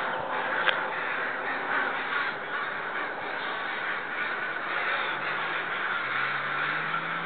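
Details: Loud, sustained cawing from a group of neighbourhood crows that appear upset about something. Many harsh caws overlap into an unbroken noisy chorus, with a faint low hum of traffic late on.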